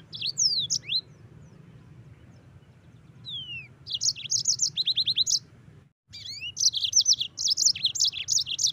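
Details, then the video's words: Yellow-fronted canary song in broken phrases: descending whistled slurs, then quick trains of high, sharp chirps and short trills, a brief silent break, and a renewed energetic run of chirping notes; soft low hum behind. "Masteran Mozambik Gacor"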